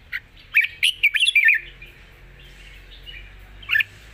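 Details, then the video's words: Long song of a red-whiskered bulbul, delivered lightly with singing and chatter in wild-style phrasing: a quick run of bright, warbled notes in the first second and a half, then a single clear note near the end. "เพลงยาว ปากเบา ร้อง+ริก /สำนวนป่าๆ"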